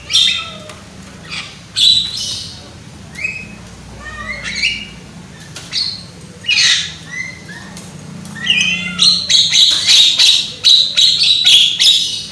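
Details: Javan myna (jalak kebo), young and loud, used to coax other mynas into singing: varied harsh squawks and whistles building into a rapid run of chattering notes in the last few seconds.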